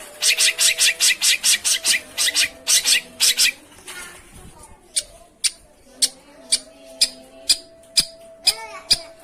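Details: Lure recording of a long-tailed shrike meant to prompt a quiet bird to sing: a fast run of rasping notes, then sparse sharp clicks and a few short whistled notes.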